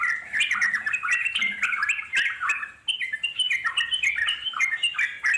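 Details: Yellow-vented Bulbul (trucuk), wild, in long ngeropel panjang chattering: rapid tumbling bubbly notes, a short dip near the middle, then the lively rising-and-falling chatter resumes to the end.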